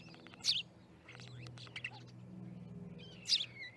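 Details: Starling flock gathered at an osprey nest in Charlo, Montana, on 10/07/2019: high chirps and short whistled slurs overlapping, with two louder harsh bursts near the start and end over a steady low hum.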